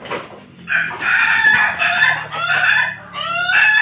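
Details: Pelung crossed with Bangkok rooster crowing: a long loud harmonic crow held for several seconds, dipping briefly in the middle and ending in a strained rising finish, after a soft opening note.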